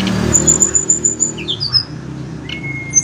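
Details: A blood-breasted flowerpecker (tledekan gunung), said to respond in the morning and afternoon, gives a rapid run of piercing high ticks, then a few short whistled slurs and one long thin tone over a low rumbling background.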